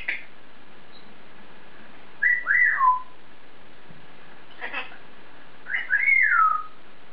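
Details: Pet African grey parrot chatting to itself in its cage, giving two matching swooping whistles that rise then fall, separated by a short raspy sound; quiet room.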